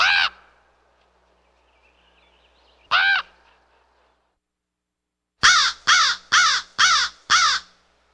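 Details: Raven calling: two spaced hoarse croaks, then a quick run of five similar harsh calls about every half second, all sharply cut and evenly loud.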